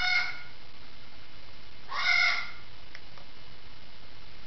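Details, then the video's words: Parrot squawking indoors from the next room: two loud, harsh, raspy squawks about two seconds apart, then a faint short note, in a quiet room. "Sixty Seconds of Squawking"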